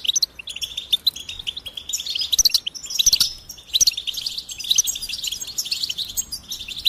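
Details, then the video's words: A goldfinch sings a fast, continuous, high-pitched twittering song of tinkling notes and short buzzy trills, with no other clear sounds. "Goldfinch Singing"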